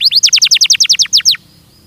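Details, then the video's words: Belgian canary phrase for song training: about a dozen bright downslurred notes repeated roughly ten times a second, ending abruptly and followed by quiet. "ESPETACULAR canário belga,,! 30 MINUTOS DE TREINAMENTO DE BELGIUM CANARY VOCÊ VAI CANTAR MUITO"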